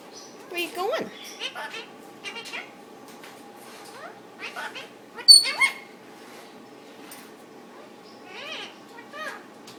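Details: Caged pet male Indian ringneck parakeet talking to its owner and to a bird in the next cage: scattered high squeaky chirps, clicks and short rising and falling whistled syllables, with quiet room hum behind.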